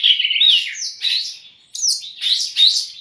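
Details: White-rumped shama song for tutoring and provoking raw or stressed birds: loud rich warbled phrases with upward-sliding whistles, broken by a brief quiet gap.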